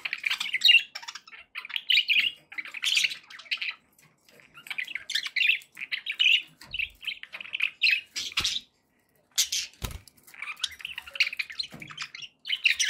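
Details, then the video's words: Budgerigars kept as pets chatter on and off, with bursts of warbling, squawks and rapid chirps, separated by short silences and a few clicks. "1 hour of budgie sounds to keep your pets in happy bird company"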